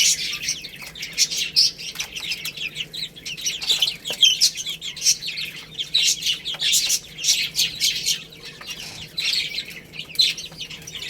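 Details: A group of chicks feeding on rice, chirping continuously in bright, high, short notes that come in clusters, with frequent tapping of beaks on the feed.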